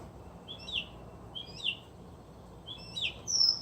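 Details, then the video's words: A resident northern mockingbird, one of many around the grounds, sings outdoors near people at play: three short buzzy high chirping phrases about a second apart, the last ending in a thin, higher whistled note, over a steady low background hiss. "Mocking Bird Serenade"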